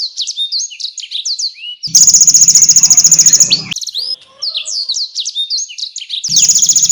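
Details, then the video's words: Energetic canary song meant as tutor material for contest birds such as magpie robins, full of konin and blackthroat bursts: quick high looping chirps, a loud buzzy rapid rattle, more tumbling chirps, then the rattle returning. "KENARI GACOR UNTUK MASTERAN BURUNG JAWARA| full tembakan konin dan balckthroat"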